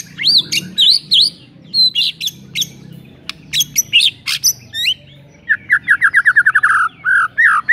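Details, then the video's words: Shama song for goading a sluggish shama into singing: busy high whistles and sharp clicks, then a fast rhythmic rattle of rolling downslurred notes ending in longer whistles. "JELAS NYAUT ..!!! MURAI BATU LOYO LANGSUNG NAIK EMOSI & BONGKAR MATERI MENDENGARNYA"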